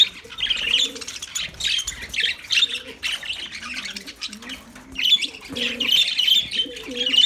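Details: Lovebird calls: high chattering chirps in uneven bursts, louder near the end, with rising low coo notes in the background.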